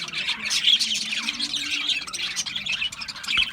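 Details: Budgerigar chatter, a dense run of scratchy high twitters and a few clear whistled peeps, with a faint low hum in the background.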